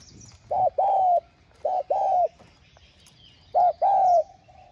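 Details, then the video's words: A spotted dove gives a full song of calling, urging and cooing, heard as three mellow, hollow coo phrases, each a short note then a longer falling one, used to stimulate caged doves; quiet rural background. "Tiếng Cu Gáy Giọng Hạp BổI Đủ Bài [GỌI + THÚC + GÙ ]"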